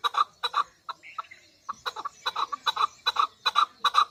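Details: A Pakistani female chukar partridge clucks in quick doubled bursts, pauses briefly after a second, then resumes with steady, full-toned chuck notes about three per second.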